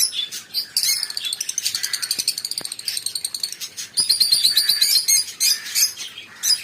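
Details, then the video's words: Lovebirds in busy high-pitched twittering, rapid buzzy chirps strung in fast runs with sharp squeaks breaking through, overlapping calls throughout. "Love birds singing relaxing sound"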